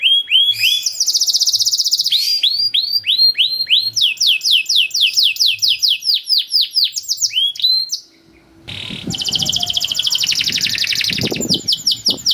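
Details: Canary song in a long cuit-cuit masteran for getting young canaries to sing quickly: long buzzing rolls woven with runs of rapid sweeping notes, a short silent break, then a harsh rattling trill with faint background noise.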